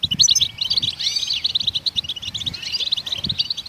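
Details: Twittering goldfinch song used to prompt other songbirds to sing: rapid chains of high chirps and jingling notes with several down-slurred whistles, steady throughout, with faint low thuds underneath.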